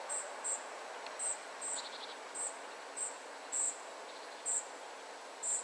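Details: A family of spotted flycatchers utters brief, very high squeaky notes every half second or so, with a short burst of faint lower rapid chirping midway, over soft steady noise.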